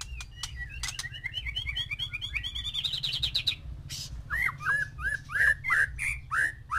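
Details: Male white-rumped shama kept with six females for breeding, song meant to stimulate mating: rapid varied chips and rolling trills, building into loud, slurred whistled phrases repeated in quick succession.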